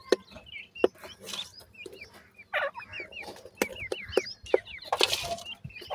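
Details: Feeding grey francolin chicks calling with clear, short rising peeps in loose series, alongside sharp tapping clicks and bursts of broad hissing rustle.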